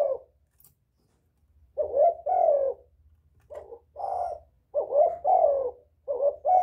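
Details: Spotted dove calling to lure other doves: a lone soft coo, a pause, then deep, hoarse cooing phrases in two- and three-note groups separated by short gaps, over a faint low hum.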